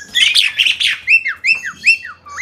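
A crested myna gives about a second of harsh, scratchy chatter, then a run of clear slurred whistles, some rising and some falling, roughly two each second.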